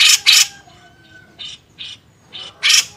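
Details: Master recording of a grey-cheeked bulbul for songbird training, beset ngepik style: two loud raspy bursts open, a thin faint whistle follows, then shorter buzzy notes and another loud harsh burst.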